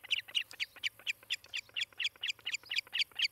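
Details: Nesting osprey at Charlo, Montana, recorded by nest cam on 18 July 2018 in late morning, giving sharp whistled cheeps in a steady string, roughly four per second, some notes slightly doubled, over a soft low hum.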